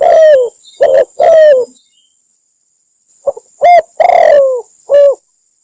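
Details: Spotted dove in Cambodia, recorded for use as a trapping lure: two short phrases of hollow, mellow coos, the longer notes sliding downward, separated by about a second of silence. A constant high-pitched whine sits in the background.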